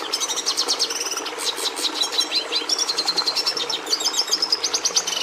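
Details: Continuous twittering song of a Red siskin (Carduelis cucullata): dense high chirps, fast trills and short buzzy phrases pouring out without pause over faint background hum.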